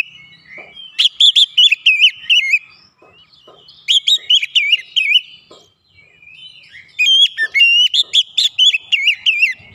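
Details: An Oriental magpie-robin, roused by a lure recording, sings insistently through its fill-in phrases, delivering three bursts of wavering, warbled whistles with quiet gaps between.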